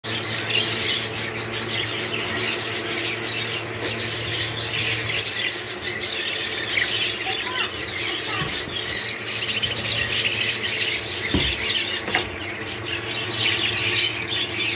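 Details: Hogoromo budgerigars chatter continuously, a dense mix of high chirps, squawks and warbling from several birds.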